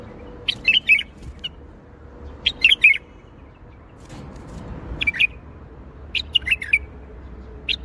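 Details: Bulbul singing in the Baghdadi style, short bursts of bright warbled notes in phrases about every two seconds, with a low steady hum beneath.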